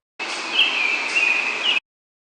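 An American Robin gives a thin, steady, slightly wavering note of middle-high pitch, held for about a second and a half with brief upturned flicks, over faint background hiss.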